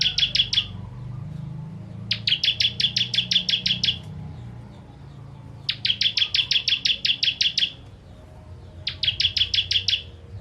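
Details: 'Tembakan' song of a bar-winged prinia ('ciblek kristal') for training contest birds: four bursts of rapid, piercing chip notes, each lasting one to two seconds, separated by short silences, over a steady low background drone.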